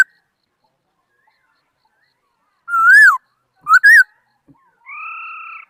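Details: After a long silence, a laughingthrush gives a loud arched whistle, then a short pair of quick wavering whistles, followed by a softer long, steady whistled note.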